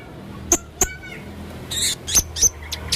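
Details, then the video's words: Male blue-crowned hanging parrot singing actively: isolated sharp, very high clicking notes spaced apart, with soft chattering between and a faint low hum underneath. "burung serindit jantan gacor banyak suara aneh"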